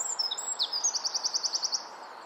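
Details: Singing wren in nesting season, likely addressing its mate, gives a few scratchy sliding notes then a steady run of about twelve sharp high ticks, ending in quiet background hiss.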